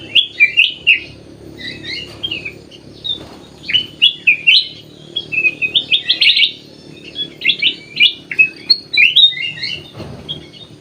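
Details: Sooty-headed bulbul in an aviary among other birds, giving a rapid run of bright, bubbly whistled notes in short rising and falling phrases, almost without pause for eleven seconds.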